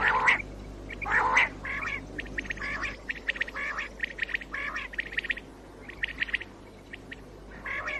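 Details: Common quail calling, recorded in 2019 and used as a morning hunting lure: loud harsh bursts at first, then quick groups of short, sharp, high pulses repeated irregularly over steady background hiss.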